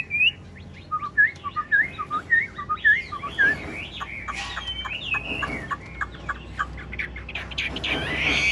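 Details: Big-bodied caged Chinese hwamei performing ngũ trường song with head-nodding display: a string of looping whistled notes at the start gives way to a blurred, busier stretch of song.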